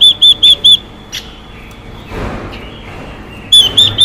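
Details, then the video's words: Clear whistled notes from a female Chinese hwamei exciting a male: four quick up-down whistles, a long near-silent stretch with a faint rustle, then three more whistles. "Quế lâm mái xùy kích trống căng lửa hót hay"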